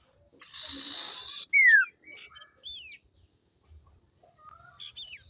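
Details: Common iora female used to lure males, giving a harsh buzzy burst followed by a clear downward-slurred whistle, then scattered short whistles and soft chips.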